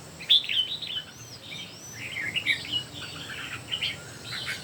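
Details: Competitive song of three red-whiskered bulbuls: quick, varied chirping phrases overlapping one another throughout, with a few thin rising whistles above and a faint low hum beneath.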